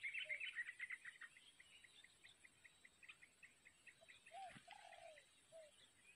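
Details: Wild yellow-vented bulbul nestlings, recently hatched, beg while the parent feeds them at the nest: rapid, thin, high chirps, several per second, with a few lower, slurred adult notes near the end.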